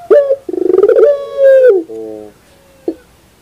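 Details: Puter dove in the morning, pelung style: a sharp note, a rapidly throbbing coo that smooths into a sustained tone and falls, then a low fading murmur and one faint extra note.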